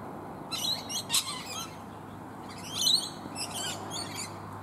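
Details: Rainbow lorikeets feed together on bottlebrush blossoms up high in a tree. Two clusters of scratchy, grating screeches come from the flock, separated by a brief lull.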